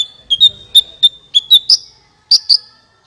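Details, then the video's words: Sunbird call played as a trapping lure: clear, thin, high whistled notes repeated at a fairly even pace, about eight notes, the last few slightly sharper and rising. "SUARA PIKAT BURUNG KOLIBRI NINJA"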